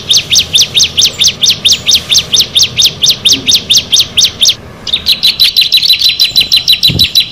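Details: Bar-winged prinia, among six birds gathered together, delivering evenly paced high chirps about three per second, pausing for a moment mid-way, then continuing with slightly denser, flatter notes; a faint low thump near the end.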